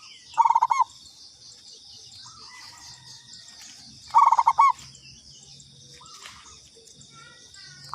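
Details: Local zebra dove sounding a lure call: two spaced phrases of rapid, bouncing coos ending in a drawn note, with soft distant bird notes in the pauses and an unbroken high insect drone.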